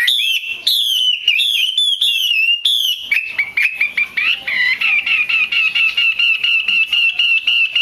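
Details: Female Chinese hwamei singing, played by keepers to stimulate males into singing more: loud clear whistled phrases with slurred up-and-down notes, then a fast run of rapidly repeated sharp whistled notes, bright and continuous throughout.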